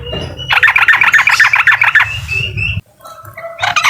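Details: Uklik-style singing of a yellow-vented bulbul aimed at a rival: a quick rattling series of bubbly notes lasting about a second and a half, then quieter scattered notes and a renewed burst.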